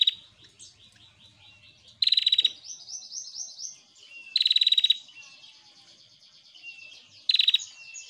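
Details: Energetic female prinia song: loud buzzy rattles repeated every two to three seconds, interspersed with rapid series of high rising chirps and fine twitters.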